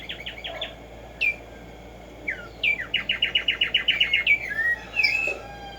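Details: Morning song of the Black-striped sparrow (Tumba Yegua): a short stutter of notes, isolated downslurred whistles, then a long accelerating series of crisp repeated chirps, closing with slurred whistles and a faint lower note.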